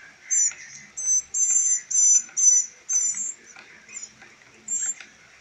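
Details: Hand-reared trio of rescued young northern mockingbirds in rehabilitation before release; a quick run of about ten shrill, thin, high notes, the first ones long and loud, the later ones shorter and softer.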